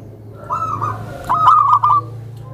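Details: Tame zebra dove, used to lure other zebra doves, giving a brief soft coo then a louder rolling phrase over a low hum.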